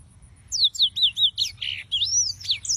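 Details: Several yellow-fronted canaries singing; one short phrase of sweet downslurred whistles repeated about every quarter second, then a slurred rising note and a sharp chirp.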